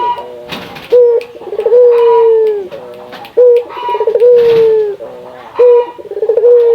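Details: Barbary dove of local Indonesian stock, whose call is used to make other doves call more readily: three repeated phrases, each a short clipped note, then a rapid roll, then a prolonged falling coo, roughly every two seconds.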